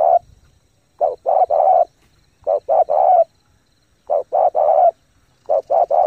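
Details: Rapid 'thúc gù' cooing from a spotted dove used as a lure to stimulate decoys and train new birds: four grouped phrases of two or three short mellow coos ending in a longer one, roughly every 1.5 seconds.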